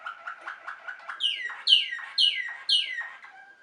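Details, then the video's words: Waterslager canary, also named Malinois canary, from Belgium: quiet chattering notes lead into loud gurgling downward-sliding phrases repeated roughly every half second over a faint steady whistle. "Water selgar canary wing wonders"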